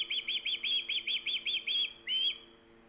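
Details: Loud osprey at a Hog Island nest, recorded by a live camera on 3 September 2019: about ten quick, high whistled chirps in a row, then a short pause and one longer slurred note, with a soft electrical hum behind.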